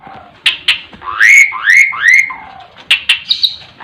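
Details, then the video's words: 'Terkuku' singing by a jalak suren (Asian pied starling): scattered clicks, then three swelling upslurred whistles run together in quick succession, followed by more crisp clicks and a high tick. "burung jalak suren bisa terkuku"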